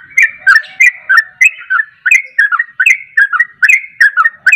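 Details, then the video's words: Fast, continuous 'ropel' song of a caged yellow-vented bulbul, aimed at stirring a reluctant bird to answer: rolling liquid whistles, roughly three notes a second, over a thin steady tone. "Mengatasi Trucuk yg susah bunyi jadi bunyi Ropel"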